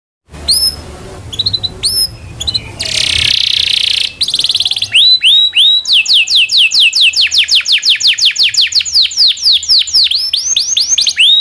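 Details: Local canary singing a long rolling song used as a tutor for chattering songbirds such as magpie-robins: brief chirps, a buzzy burst, then a long fast train of bright descending whistled notes, repeated about twice a second.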